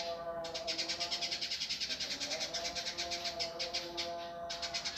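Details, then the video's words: Master recording of an indigo bird for training birds: continuous fast, rasping high-pitched pulses in a rough, tight style, with steady lower tonal notes running underneath. "masteran burung indigo gavor kasar speed rapat"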